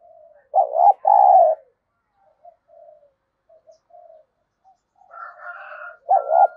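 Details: Spotted dove decoy used to incite rival birds. It gives two low double coos, a quavering note and a longer steady one each time. Soft faint coos and a brief thin whistled sound come in between.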